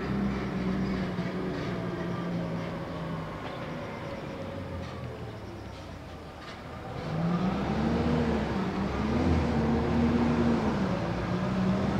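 Steady rumble of road traffic with engines revving and a low droning hum throughout; no animal sounds are heard.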